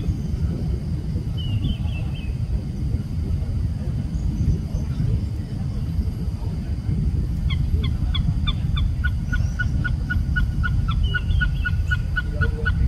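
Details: Oriental pied hornbill in Singapore, quiet at first with a faint chirp, then from about seven seconds a fast run of harsh cackling notes, roughly four per second, over steady low rumbling noise.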